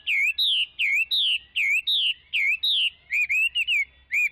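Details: Chinese hwamei song of rich, looping whistles repeated steadily, each note bending down then up, ending in a faster run of shorter whistled notes. A faint low hum sits underneath.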